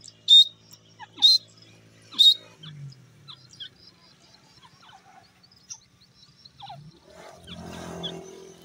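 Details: Grey francolin heard in the morning giving three loud, shrill, high whistled notes about a second apart, followed by scattered soft chirps and a low rumbling noise near the end.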